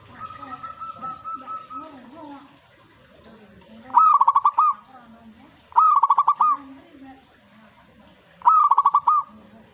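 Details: Zebra dove singing in response to a master recording: three bright, rapidly pulsed cooing phrases about two seconds apart, each with five or six quick beats. A long steady whistled tone and low chattering bird voices fill the background.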